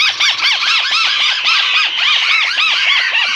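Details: White-browed crake call used as a lure for catching birds: a loud, dense chatter of squeaky arched notes that rise and fall, about four per second. The notes overlap continuously, with no pause and no other sounds.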